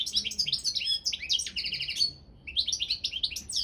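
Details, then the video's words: Championship goldfinch of the Balkan subspecies balcanica: lively chattering song of clipped tinkling notes and a short rattled trill, a half-second pause, then the twittering resumes briskly. "World Championship in Goldfinch Song"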